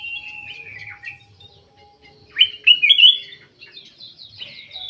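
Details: Black-naped oriole kept in an aviary, giving a series of short whistled and slurred notes, some rising sharply, with a louder burst of clear fluty phrases in the middle and quieter chirps around them.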